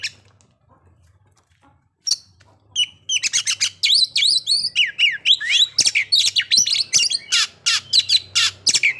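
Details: Kacer (Oriental magpie-robin) song used as a lure to bring on breeding condition and aggression in kept birds. After a quiet start, loud, rapid bursts of sharp, varied whistled notes rise and fall in chattering phrases almost without pause.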